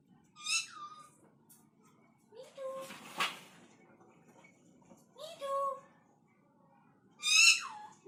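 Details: Pet parrot talking and making funny dog-like sounds indoors: four bursts of harmonic, voice-like syllables, some with sliding pitch, separated by pauses, plus one short noisy burst near the middle and faint room hum.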